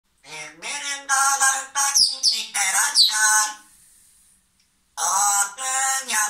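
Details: Pet parrot making lively, squawky harmonic vocal bursts in quick succession, some rising and falling sharply, then a short silence near four seconds before two more loud rasping bursts.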